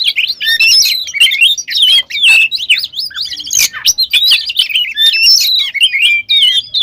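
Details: Oriental magpie-robin in full, lively song rich in varied phrases, used to provoke other magpie-robins into singing: a dense, nearly unbroken stream of quick whistled notes, slurs and chattering trills, high and bright.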